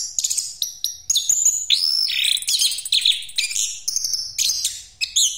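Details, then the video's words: Orange-headed thrush of the Javan Pastol type, singing a rolling full-power song used as a lure for other birds: a fast medley of varied whistles and chattering notes, with sliding whistled phrases mixed among rapid high twitters. "Anis Kembang Pastol Ngeroll Buat Pancingan"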